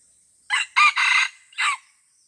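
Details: Wild red junglefowl fighting in the Lamteuba forest, Aceh, Indonesia. A loud, harsh crow breaks into bursts: a short opening note, a longer two-part phrase, then a final shorter note, over a steady high insect hiss.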